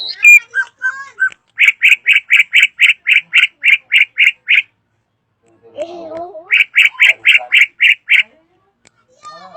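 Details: Drongo singing loudly, with harsh evenly spaced notes repeated about four per second in a long series, a brief pause with a softer warble, then the series resumes.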